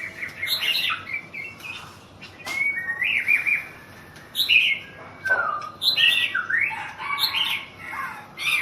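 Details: Thai champion white-rumped shama singing a long, varied stream of whistles, chatters and sharp slurred notes, with brief pauses between phrases.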